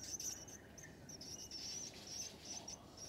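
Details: Willie wagtail nestlings begging while being fed at the nest: thin, high squeaky notes repeated rapidly in short bursts over a steady hiss of background noise.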